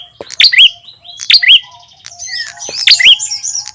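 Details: Ashy tailorbird call used as a lure for wild birds: bright high chirps with a hooked, rising whistled tail, given in irregular bursts of two or three notes separated by brief pauses.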